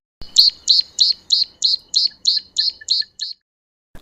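Tawny-flanked Prinia giving a fast series of about eleven high, sharp chipping notes, roughly three per second, with a bright, even pitch throughout.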